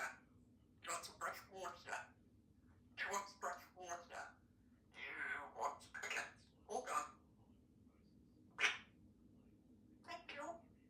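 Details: Three-year-old female Congo African grey parrot, a talkative pet bird living in a country home, producing a run of chattering speech-like phrases in short bursts separated by pauses, with one sharp whistle-like note near the end.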